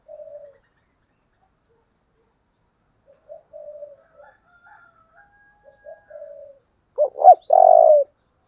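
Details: Several faint, distant soft coos with weak background calls, ending in one loud phrase from a spotted dove giving the taut 'thổ'-voice 'Thúc' coo, a model for decoy birds: double hoot, then a long burring note.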